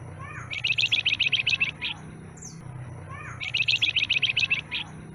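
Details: A newly caught stub-tailed flamboyan sings a fast, bright phrase of about a dozen high chattering notes after a few quick rising slurs, twice in near-identical form, over a soft background hum.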